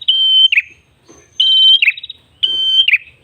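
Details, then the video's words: Red-headed tailorbird (prenjak kepala merah) in lively song, used for luring other birds: a loud, steady high whistle that breaks into a short falling buzzy trill, given three times in about three seconds against a quiet background. "PRENJAK KEPALA MERAH GACOR SUARA NGALUN"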